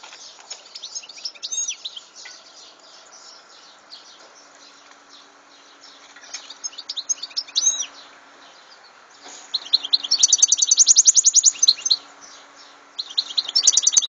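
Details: European goldfinch giving a long, varied twittering song, with liquid trills and buzzy notes building into a dense, rapid tinkling passage near the end.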